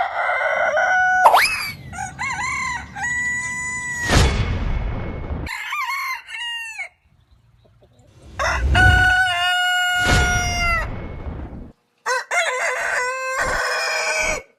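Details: Multiple roosters crowing in turn, bright harmonic crows with rising starts and long level finishes, broadband bursts of noise between them, a near-silent pause midway, then more overlapping crows.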